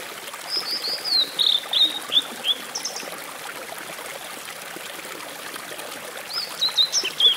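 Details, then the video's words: A blue-and-white flycatcher sings by a small stream at the Rock Garden on Mount Mitake, Ome, Tokyo, on 14 May 2011: a high, sweet phrase of clear whistles and slurred notes, pausing and repeating over running water. "Blue-and-White Flycatcher"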